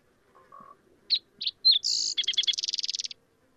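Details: Male Green-tailed Towhee song, sweeter and more musical than related towhees ("drink your tea with sugar in it"): a few sweet separate notes and a slurred burry note, then a fast bright trill lasting about a second.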